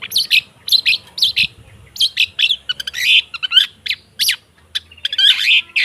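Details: Long-tailed shrike recording meant as singing therapy for stalled birds: dense scratchy chirps and slurred whistles in irregular phrases, with faint low rumbling beneath.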